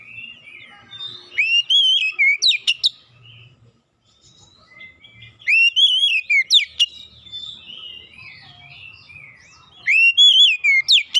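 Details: Oriental magpie-robin lure song meant to set reluctant young birds singing: three rich whistled phrases, each a rising-and-falling warble ending in sharp high chips, repeated roughly every four seconds with near silence between.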